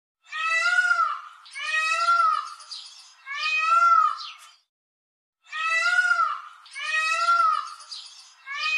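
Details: A peacock, displaying its feathers, gives loud, nasal, cat-like wails, each about a second long, in a quick series of three, then a pause, then three more.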